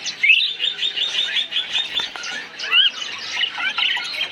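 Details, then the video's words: Parakeets in a colony keep up a constant chatter of high, rapid chirps and twittering notes, overlapping from many birds, with a couple of louder swooping calls rising above the crowd. "Kicau Suara Koloni Burung Parkit | Parakeet Colony Chirping Sounds"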